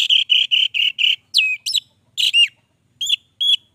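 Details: Orange-headed thrush in persistent song: five quick, evenly spaced whistled notes, then downslurred and hooked whistles and two short bright notes spaced apart, clean background.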